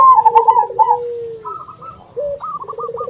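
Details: Local zebra dove song meant to summon rival doves, with another dove (puter) calling too: a loud stuttering trill, a long falling coo, then a pause and a fresh run of quick clipped notes.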